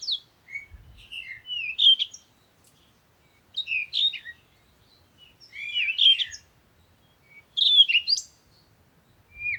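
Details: Bird song in four distinct phrases about every two seconds apart, each a quick jumble of chirps and slurred whistles, silent gaps between, quiet background.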